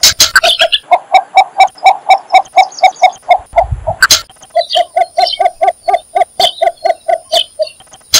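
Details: Calling cinnamon bittern giving rapid runs of short, hollow clucks, about two to three per second, in two bursts separated by a brief gap; thin chirps of other birds and a few sharp knocks behind.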